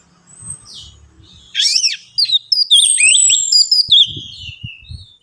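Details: Orange-headed thrush song played to coax other birds into singing. After quiet opening notes comes a dense, energetic stream of sharp sweeping whistles and trills, ending in a long fading high note over soft low knocks.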